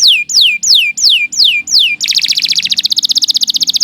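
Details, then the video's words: Canary song opening with six clear, loud downward-sweeping whistles about three per second, then switching abruptly into a rapid rattling trill that speeds into fine, even pulses. "Kicau Burung Kenari II GACOR PANJANG"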